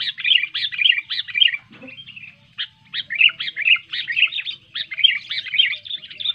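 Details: Clear sooty-headed bulbul song meant to stir quiet bulbuls into song: quick chattering whistled notes pouring out steadily, broken by one short pause near two seconds, then resuming just as fast.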